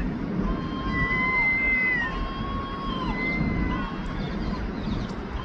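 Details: Herring gulls in London giving long, drawn-out mewing wails, several overlapping with level then slightly falling pitch, each lasting about a second, against steady low city rumble.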